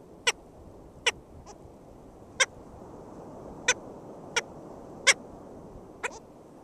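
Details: At a nest in St. George State Park, Florida, 22 June 2013, a black skimmer gives sharp, clipped yelps spaced roughly a second apart, seven in about six seconds, against a low murmuring background.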